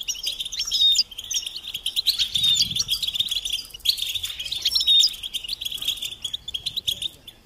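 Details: Goldfinch song of lively chattering twitters and short upslurred whistles, steady throughout, with a faint low rustle in the middle.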